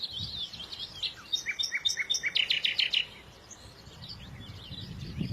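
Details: Birds chirping: bright clear notes begin, then build into a quick series of repeated piercing high notes for about two seconds, with a low rumble underneath before fading to quiet.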